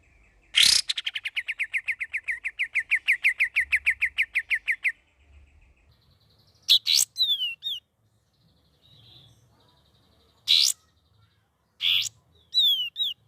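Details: Young sooty-headed bulbul practising varied song: a sharp opening note leads into a long run of rapid, evenly spaced descending chirps lasting about four seconds, then scattered loud sharp notes and quick sliding whistles after pauses.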